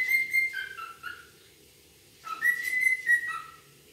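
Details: A wild cockatiel (Nymphicus hollandicus) gives two bursts of clear whistled notes, each stepping down in pitch over about a second, with a pause between them.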